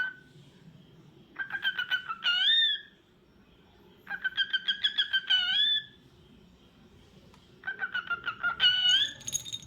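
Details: Pet cockatiel indoors calling in three repeated phrases about three seconds apart, each a rapid stuttering run of harsh notes ending in bright upswept whistles.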